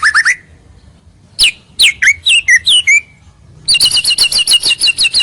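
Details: White-rumped shama singing a clear lure song to attract rivals: a quick trill, a pause, then varied whistled slurs, closing with a steady rapid series of high ringing notes.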